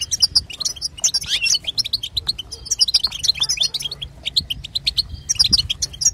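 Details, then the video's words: European goldfinch female calls meant to stir a male into song: quick bright chirps and tinkling trills in clustered bursts, with brief thinner gaps between phrases. "بتبتة وستسته حسون تجعل الحسون يغرد"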